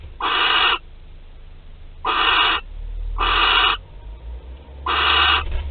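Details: At a Théding barn owl nest, France, 25 April 2021: four breathy hissing screeches about half a second long, spaced irregularly over a low steady hum.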